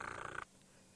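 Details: At sunrise on 1 June 2017 in Djuma Game Reserve, oxpeckers sound an alert as lionesses stalk a buffalo: a harsh, hissing rasp lasting under half a second, then an abrupt stop, leaving faint background hush.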